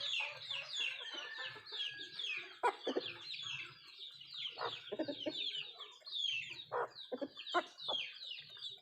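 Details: Nattu kozhi, native chickens, eating; continuous high chirps with repeated loud pecking knocks and a few short low clucks.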